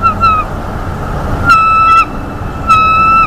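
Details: Bald eagle eaglet in a North East Florida nest greeting its father bringing a mammal: three drawn-out, high, even whistled squeals with slight downward ends, against soft background noise.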